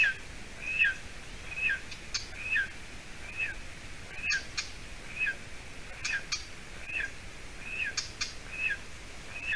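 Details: Golden eaglet, about seven weeks old, in its nest in Latvia on 30 June 2020 around 6:20 p.m., after its mother brought roe deer hide, gives thin, high chirping calls, rising then falling, about once a second, with scattered clicks and soft hiss.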